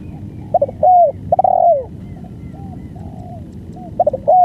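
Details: Spotted dove delivering a full banggo-style, long-duration song: mellow low coos in phrases of quick stuttering notes, each ending in a longer drawn, slightly falling coo. The phrase repeats near the end, with softer distant-sounding coos between and a low rumbling background.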